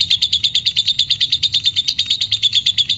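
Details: A fighter lovebird in ngekek mode, recorded as a lure to arouse other birds: a fast, even, pulsing chatter, about six sharp high notes each second, steady throughout.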